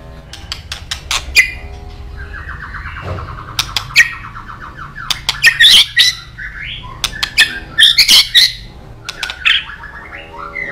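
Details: Murai batu lure song to set other birds singing: sharp clicking bursts between buzzy, harsh notes and short whistled phrases, uneven in rhythm, with a faint low hum behind.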